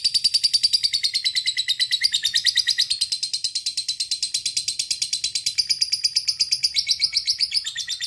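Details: Lovebird calling a rival with a long ngekek trill: a fast, steady run of sharp chattering notes, about eight to ten per second, held for the whole stretch with a slight drop in pitch partway through.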